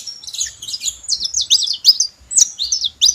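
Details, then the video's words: Dense, high-pitched chirping from saffron finch, quick slurred notes tumbling together in a busy twittering phrase, with short gaps near the end. "Canário da terra junto fazendo barulho"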